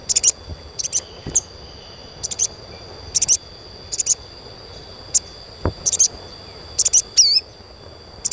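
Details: Asian pied starling chirps played as therapy to stimulate young birds into frequent singing: short high bright chirp bursts in loose clusters, one with a looping wavering note near the end, over a steady faint high tone and background hiss.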